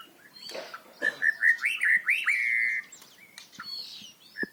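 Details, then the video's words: Loud varied song of a white-rumped shama, used to spur young birds into singing: a series of clear whistled notes climbing into a long sustained whistle, with scattered clicks and faint background noise. "murai batu gacor volume keras cocok untuk pancingan burung murai macet"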